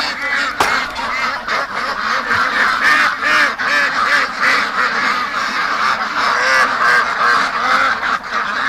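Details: Flock of domestic ducks in a pen during rainy weather, loudly calling because they want out as the keeper is about to leave; steady stream of overlapping hoarse quacks and honks, roughly three per second, with a sharp knock early on.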